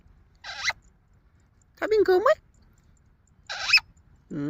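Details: Pet male Alexandrine parakeet, a talking parrot kept indoors, gives three short, bright, nasal speech-like bursts with rising, warbling harmonics, separated by pauses, then a low human voice begins at the end.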